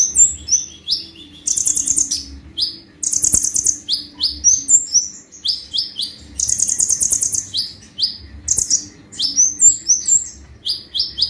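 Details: Brown-throated sunbird (konin) singing in the gacor 'tembakan' style: rapid high buzzy trills alternating with sharp downslurred whistled notes in quick bursts, brief pauses between phrases, faint low hum beneath.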